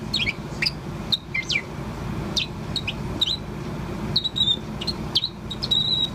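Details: Pet Bourke's parrot roughly four months old, chirping continuously: downward-sweeping high chirps spaced irregularly, then several flatter, steadier whistled notes near the end, with low background hum throughout.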